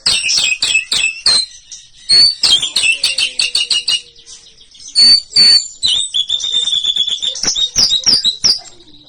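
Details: Bahorok white-rumped shama singing for competition: dense bursts of sharp high chips and trills, a sustained high whistled stretch near the middle, and short gaps between loud phrases.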